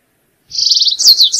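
A Stripe-tailed Yellow-Finch sings a fast, high trill of about a dozen notes, followed by a few sharper, slurred notes. No other sounds are heard.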